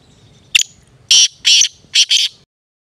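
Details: A black francolin gives a brief sharp note followed by a phrase of four rasping, buzzy bursts, the final pair close together, then the recording falls silent; faint low rumble underneath.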